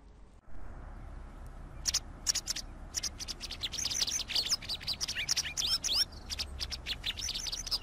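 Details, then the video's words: White wagtail singing a lively twittering song of quick high chirps and slurred notes, starting after a short quiet lead-in and growing denser, with faint low background rumble. "Canto de la Lavandera Blanca"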